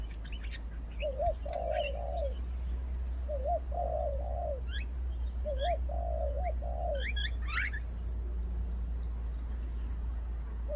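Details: Spotted dove cooing during a lure session: three soft, low cooing phrases, each a short note followed by a longer rolling coo, spaced about two seconds apart, with thin high chirps from small birds and a steady low hum.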